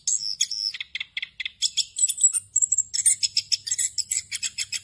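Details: Ngerol song of an orange-headed thrush, a rolling delivery packed with varied phrases for training other thrushes: rapid high chips and short buzzy bursts, densely repeated about every fifth of a second, with a faint steady low hum behind.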